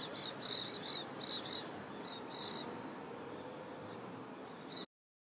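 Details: Wild nanday parakeets feeding together in crape myrtles in downtown St. Petersburg, Florida; quick squeaky chattering notes, loud at first then softer and sparser, ending abruptly in silence near the close.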